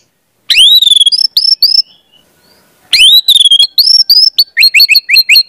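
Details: Orange-headed thrush singing, a recording meant to train young birds: loud rising whistles and bright chirped phrases in two bursts separated by a short silence, ending with quick repeated notes.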